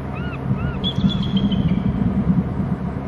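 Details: Male bald eagle at a nest and territory camera on Hornby Island, hopping from a trunk branch to the upper right and calling: two short arched chirps, then a longer thin high whistled note that slides slightly downward, over a steady low rumble.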